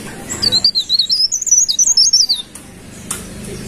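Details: Golden-bellied gerygone giving one high, thin song phrase of rapid wavering whistles that climb then slide downward over about two seconds, followed by quiet with a couple of faint clicks.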